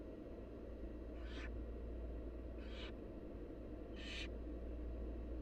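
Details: Wild barn owl chicks begging during feeding by their mother: three harsh hissing screeches spaced roughly one and a half seconds apart, the last loudest, with a continuous low droning hum underneath.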